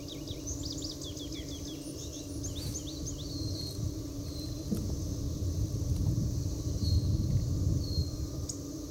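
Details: An Indigo Bunting sings in North America. A rapid run of high, sweet, paired chirps fills the first two and a half seconds, followed by a few faint thin whistles. A steady low rumble like distant traffic or wind continues throughout.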